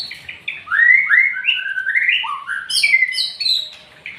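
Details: White-rumped shama singing in a bowing display style: rapid, varied whistled phrases that slide up and down, clear rising notes early on, then higher sharp twittering notes toward the end, with no other clear sounds.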